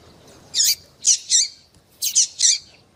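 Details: Excited female double-collared seedeater calling to a male: two groups of loud, high, squeaky chirps, the first single then a pair, the second a quick triple, on a quiet background.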